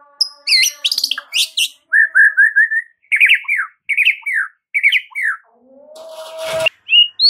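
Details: Murai batu (white-rumped shama) in masteran song: high sharp notes, then repeated clusters of short rich whistles in threes and fours, a rasping noise, and renewed high whistles at the end.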